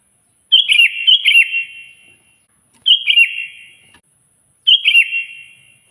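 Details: Kutilang, the sooty-headed bulbul, singing hard to summon a rival: a doubled bubbly phrase, then two single phrases about two seconds apart, each bright, quick and warbling with a fading end.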